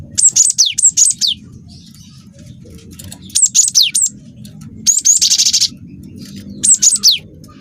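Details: Singing cinereous tit, a young bird in full voice, used as a lure to provoke other birds to sing: high whistled phrases of two or three notes that swoop downward, plus one fast buzzy trill, repeated with short pauses.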